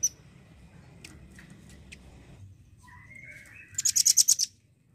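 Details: Near the end, a velvet-fronted nuthatch serving as a tutor bird for songbirds gives a rising slurred whistle and then a rapid burst of about seven shrill, very high notes. Only faint chips come before.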